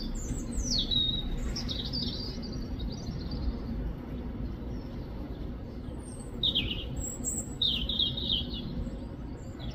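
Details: European robin singing in the UK: thin, high, sweet warbled phrases, rapidly varied and sliding, one short burst at the start and another after a pause of several seconds, over a steady low rumble of background noise.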